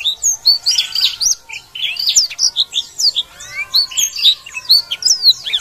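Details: Black-throated canary (Crithagra atrogularis), song.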